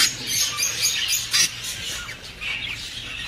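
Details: A short stretch of budgerigar chatter meant to encourage breeding: a loud opening squawk, then quick chirps and a rasping, warbling chorus that fades slightly, with a low hum underneath.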